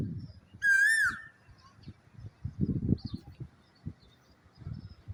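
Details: Asian koel singing on a calm morning, heard from a rooftop: a single clear whistled note that rises then levels off, with low knocking and thumping sounds before and after.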